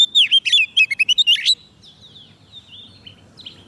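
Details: Oriental magpie-robin, fed on soft food and quick to sing, calling wild birds with a rapid sequence of warbling whistles and chips, then soft faint notes trailing off.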